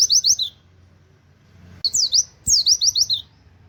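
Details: Oriental white-eye uttering quick "wit wit" canary-style notes for training other birds: short bursts of four to six high, bright, downward-slurred whistles separated by a silence of over a second.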